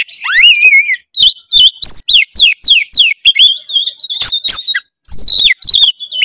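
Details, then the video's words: Oriental magpie-robin in rich song: a strong rising whistle followed by a long, rapid series of bright clear whistled notes and sharp high accents, almost continuous. "masteran kacer gacor full isian kacer langsung gacor denger suara kacer satu ini"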